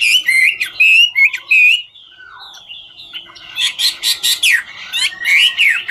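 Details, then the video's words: Hwamei of the ngũ trường type singing and dancing: several ringing whistled phrases, a brief quieter gap with a low slurred note, then a burst of rapid scratchy and whistled notes. "Họa mi ngũ trường hót múa cực chất"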